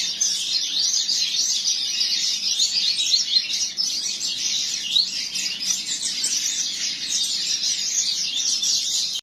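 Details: Tournament-style song of a double-collared seedeater at a breeder: an unbroken run of fast, high-pitched chattering trills and chirps, steady in loudness, with one brief rising whistle midway.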